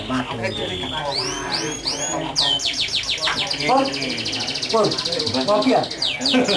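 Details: Canary singing a varied song of rapid upward and downward whistled sweeps and rolling trills, with buzzy high trill passages, over a steady bed of people talking in the background.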